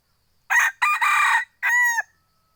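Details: Kept second-generation (F2) hybrid junglefowl rooster crowing: a short harsh opening note, a brief gap, a longer broad raspy phrase, then a clear drawn-out final note with strong harmonics that ends with a downward slur, against a quiet background.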